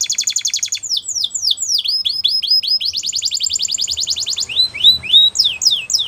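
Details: Spanish Timbrado canary training song with a fast pulsed trill, a series of sharp descending whistled slurs, another long rapid rattle, and more swooping notes at the end.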